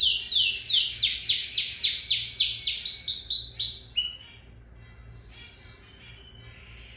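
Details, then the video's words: Lizard canary singing: a fast run of about nine bright, descending whistled sweeps, then a held steady note and a quieter, thinner series of high chirps with a soft low hum beneath. "Lizard Canary sings تغريد كناري السحلية"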